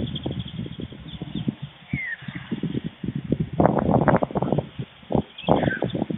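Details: White stork nestlings, two of them, fed by the adult male at their nest in Fohrde, Germany, around 12:24 pm on 16 July 2019: low, quick pulsed rattling rising into louder bursts, with a few distant high bird whistles.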